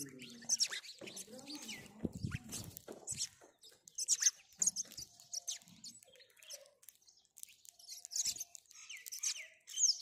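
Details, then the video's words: House sparrow giving busy, high chirps in rapid irregular bursts, short sharp notes clustered over ten seconds, with some low rustling and soft murmurs underneath. "House Sparrow Call House Sparrow Sound"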